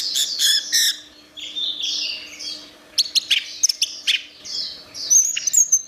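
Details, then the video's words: Song of an orange-headed thrush used to train songbirds: burst of high chatter, softer warbled phrases, then sharp clicking notes and quick high whistles, with a faint steady low hum. "Ocehan Suara Burung Anis Merah"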